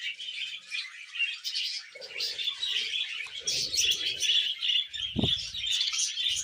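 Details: Budgerigar sounding happy, pouring out continuous scratchy warbling with quick twittering notes and a brief low knock midway.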